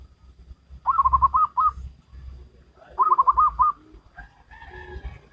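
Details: Wild local zebra dove performing Salendro-rhythm song: two phrases of quick, rolling, slightly rising cooed notes about two seconds apart, then softer lower notes; faint low rumble in background.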